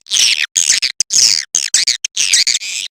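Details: Edible-nest swiftlet call used to attract swiftlets: loud, rasping, buzzy chattering phrases with brief gaps between them, continuing throughout.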